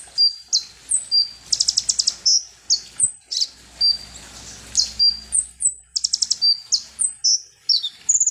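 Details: Sunbird known locally as konin or ninja hummingbird, sung as a provoking lure: quick high chirps alternating with dense buzzy trill bursts, notes sliding up and down, steady rapid pace throughout.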